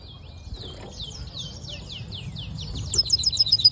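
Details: Hooded siskin mule, a hybrid, sings a series of thin downslurred notes repeated several times a second. It closes with a louder, high, tinkling trill over a steady low hum.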